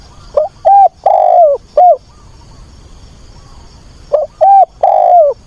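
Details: Cooing of a decoy spotted dove seeking a mate, weekend of 24 August; two repeated phrases of soft low notes, the third stretched and dipping downward, separated by about three seconds of near quiet.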